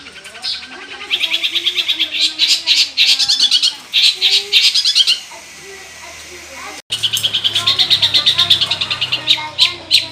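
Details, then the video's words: Long-tailed shrike in energetic, mimicry-laden song used as a lure for other shrikes: long bursts of rapid, harsh, chattering notes, briefly interrupted, then resuming at the same quick pace. "SUARA CENDET GACOR FULL ISIAN, 100% AMPUH UNTUK UNTUK PANCINGAN CENDET BUNYI"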